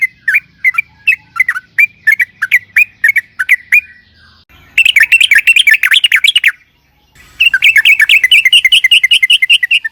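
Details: Yellow-vented bulbul delivering 'ropel panjang', a long rolling song used to coax other bulbuls into singing: a series of separate chirps, then two dense, fast bubbling trills split by a short silence.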